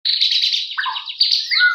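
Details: Male white-rumped shama singing in the morning while sunbathing: a brief, high, buzzy trill followed by a few lower, clear, sliding whistled notes.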